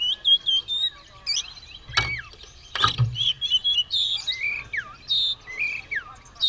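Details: Oriental magpie-robin singing steadily while ready to fight, tail spread: sweet whistles and downward-sliding notes, broken by two loud low knocks early on.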